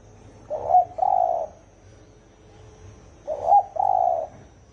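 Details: Spotted dove, 'thổ ồm' voice type, used to provoke 'thổ đồng' birds: two identical phrases, each a short clipped coo followed by a longer, steady, mellow coo, spaced about two and a half seconds apart.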